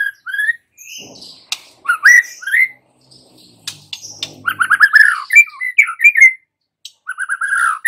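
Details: White-rumped shama song used as a lure to get young wild-caught shamas singing freely: loud, varied whistled phrases with rising and falling notes, quick stuttered note runs and brief pauses between bursts.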